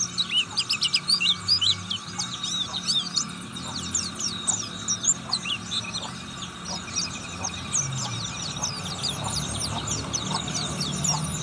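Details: Oriental white-eye (white-eye, ngriwik twittering) giving a fast, high, thin twittering of short chirps and trills that run on without pause, over a low background hum.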